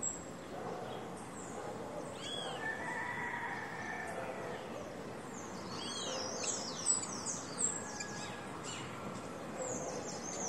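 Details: Captive male rufous-collared sparrow calling outdoors on a hot, occasionally breezy day in response to another bird's played song: sharp, high chirps and short slurred notes in quick irregular bursts over a steady background hiss.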